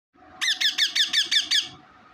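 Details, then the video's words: Pet parrot calling in its natural voice: a rapid burst of seven harsh, ringing squawks, evenly spaced over about one second, with faint room hum behind. "natural voice parrot 🦜 parrot ka voice"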